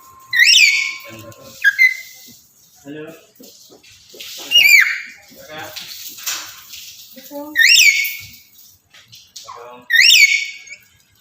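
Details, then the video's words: Male black-capped lory in breeding condition calling to a female: loud, harsh, rising screeches with bright harmonics, four of them spaced three to four seconds apart, with softer chattering notes in between. "Burung Nuri Jantan Birahi Memanggil Betina"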